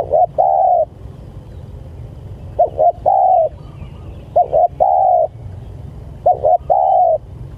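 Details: Spotted dove calling to its companions repeats the same phrase four times, roughly every two seconds: a short broken double coo leading into a longer level coo, over a continuous low hum.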